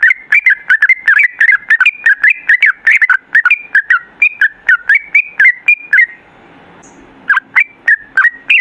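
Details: Sooty-headed bulbul pouring out a dense run of bright whistled notes, bouncing up and down in quick succession for six seconds, then a short silence before more clipped whistled phrases resume.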